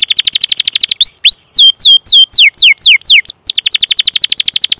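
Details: Canary rolling song for teaching canaries to sing: a fast high trill, then a run of rising and falling whistled slurs, returning to a long, rapid trill.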